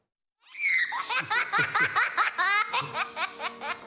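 A parrot gives a long, human-like belly laugh: bright, breathy 'ha-ha' bursts about twice a second for over three seconds, ending in lower, hoarser chuckles.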